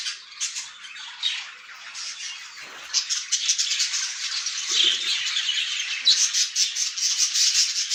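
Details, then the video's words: Several English budgerigars chatter together in a dense, scratchy, high-pitched stream of warbles and squawks, with a faint low thump midway. "English budgerigar"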